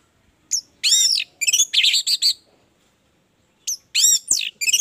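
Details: Energetic orange-headed thrush song meant to spur others of its kind into singing: dense bursts of shrill, twittering, warbled notes, then a silent gap of over two seconds before another bright burst returns.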